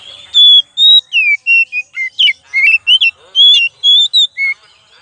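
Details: Oriental magpie-robin giving a pancingan (lure) song: a loud, clear run of about fifteen short whistled notes, each sliding up or down, jumping between mid and high pitches with brief gaps, over a quiet background.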